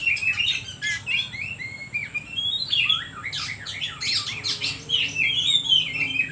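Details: Oriental magpie-robin song used as a lure to provoke other birds into singing: varied whistled phrases with slurred rising and falling notes and quick chirps, some harsh buzzy bursts, over a faint low background hum.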